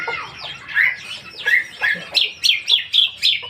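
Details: Caged lesser green leafbird in song: slurred warbling phrases followed by a run of bright, repeated whistled notes, several per second, sharply accented.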